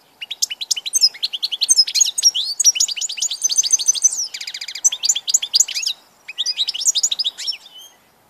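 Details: European goldfinch singing continuously for eight seconds: bright rising chirps, liquid twitters and a quick repeated trill, delivered in rapid rhythmic phrases with barely any pauses.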